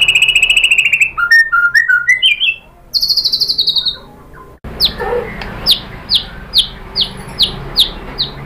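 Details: White-rumped shama singing a lure song to make others sing; a rapid high trill and varied whistled phrases, a falling buzzy note, then a steady series of sharp downslurred notes about three per second.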